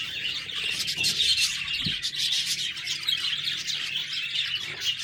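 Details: Budgies chattering and chirping together, a dense continuous wash of high, scratchy twitters and short warbles with no pauses, several birds calling at once.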